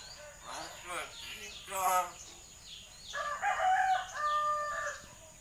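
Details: Hill myna mimicking a person, coughing and talking: two raspy, wavering, voice-like outbursts, then a series of loud, nasal, harmonic chattering notes.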